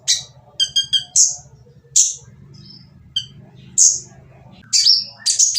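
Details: Van Hasselt's sunbird (kolibri ninja) with a harsh provoking song: stuttered triple chirps and separate shrill, sweeping high notes spaced by short gaps, while a steady low hum continues throughout.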